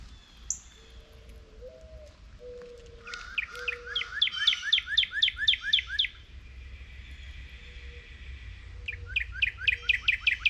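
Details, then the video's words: Northern cardinals chirping while waiting for seeds to fall from a feeder as a squirrel eats below; two rapid bursts of sharp, downslurred whistled notes, several per second, with faint low steady tones and a soft background rumble. "Cardinal Bird Sounds"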